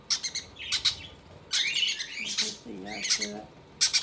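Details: Conure chicks fed by their mother beg with rough, buzzy squawks and chirps in uneven bursts; a low murmur of voice-like sound joins midway.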